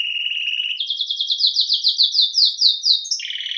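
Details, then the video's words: A Belgian canary sings a steady tone that breaks into a quick, even series of rising chip notes repeated about six per second, then drops into a lower rattling roll. The bird is alone and the recording is clean. "CANÁRIO BELGA CANTANDO"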